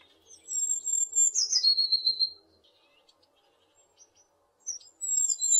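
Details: A high, thin whistle from a tit tumbles downward through a short buzzy burst and settles on a lower even tone. It is followed by silence, then the start of another high note.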